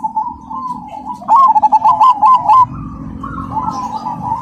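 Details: Zebra dove of the black cemani variety singing loudly and rhythmically: gentle coos lead into a strong burst of quick, evenly spaced coo notes, then softer rolling coos trailing off.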